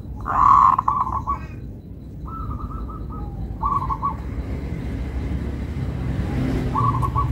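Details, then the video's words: Local zebra dove with a melodious song. A loud opening coo leads into several runs of fast, even, stuttered notes with short gaps, over a low rumbling background. "Perkutut Lokal irama merdu, suaranya bikin adem ayem"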